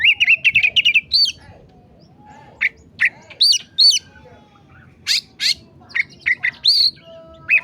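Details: Masteran recording of an oriental magpie-robin in emosi mode: the clip opens with a fast, even trill of about eight notes, then spaced whistled upslurs, sharp ticks and a few bright chirps.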